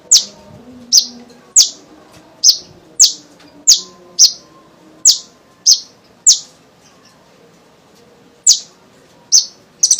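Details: Kolibri ninja sunbird, a lively singer whose recording is used to coax young sunbirds into singing, giving loud sharp high chips spaced about half a second apart, with a pause and then a short trill at the end.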